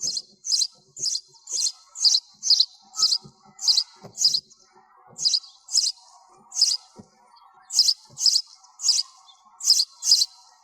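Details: Noise-reduced recording of a sparrow calling: high, sharp chirps given in quick pairs and runs with short irregular gaps, clean and otherwise silent.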